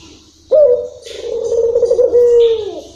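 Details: Local puter dove's long-rhythm coo: a sharp rising onset, then a long pulsing low tone that settles into a smooth steady note and falls away at the end.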